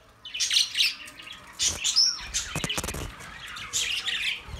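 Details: Budgerigars chirping for lonely birds: bursts of scratchy warbling, a clear short whistle, and a few sharp clicks and taps.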